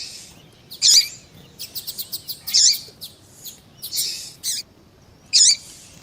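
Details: Double-collared seedeater with a female calling to stimulate a male; sharp high buzzy bursts separated by short pauses, with a brief run of quick ticking notes between them.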